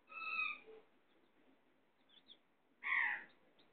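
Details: Domestic chicken, a hen with chicks: two separate rich, harmonic calls a little over two seconds apart, with very faint high peeps heard between them.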